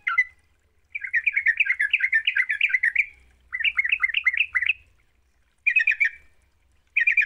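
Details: Sooty-headed bulbul lure song to make a reluctant bird sing: long bursts of rapid, bubbling chatter lasting up to two seconds, separated by short silences, then two brief bursts near the end.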